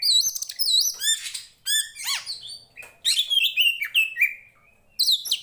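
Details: Kacer poci from Tretes, a fighting Oriental magpie-robin, delivering loud, fast, mimicking song: trilled sweeps, rising whistled slurs, harsh rasping notes and falling whistles in bursts separated by short silences.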